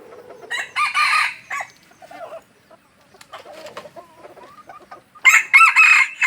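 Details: A decoy junglefowl from Aceh: hoarse crowing bursts at the start, then quieter chuckling clucks and short notes, ending with a loud ragged crow.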